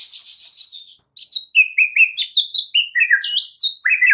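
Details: Oriental magpie-robin singing a full isian masteran: loud, varied high chirps and short whistled notes, tumbling from sharp high phrases into lower slurred ones at about two or three per second.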